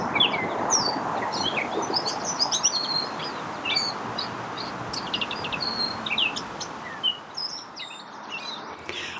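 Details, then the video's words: Gray Catbird singing its rambling spring song, a varied stream of squeaky whistles, chips, gurgles and short trills at high pitch built from other birds' sounds it mimics, over a steady low background hiss. "I wait for this every year. The return of the gray catbird whose song makes me smile every single time."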